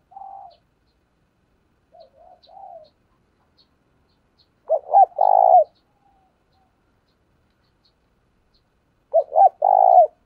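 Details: Spotted dove kept as a decoy, cooing to draw in wild doves. Soft short coos come first, then two loud phrases about four seconds apart, each of stuttering notes running into a long, low, mellow coo.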